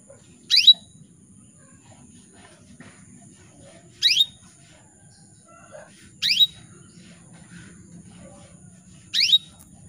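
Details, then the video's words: A female canary calls males with short, sharp rising chirps repeated roughly every two to three seconds, four in all, each under a quarter second, against near silence and a thin constant high tone. "PANCINGAN KENARI BETINA MEMANGGIL JANTAN"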